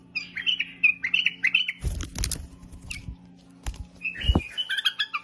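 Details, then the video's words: Bulbul singing a full song of bright whistled and chirped phrases that rise and fall, broken in the middle by rustling, knocking handling noises, then resuming with quick, varied notes over a faint low hum. "بلبل فول"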